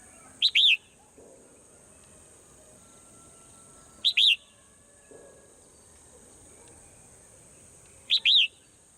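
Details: In the morning a swallow repeats one short two-note chirp about every four seconds, each phrase crisp and high, set against a continuous high hiss and low murmuring background.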